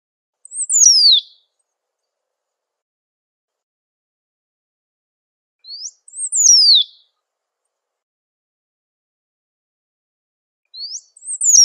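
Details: Great pampa finch in nature repeating its high whistled phrase roughly every five to six seconds, each an upward note then a quick sharply falling whistle, three times; silent gaps between.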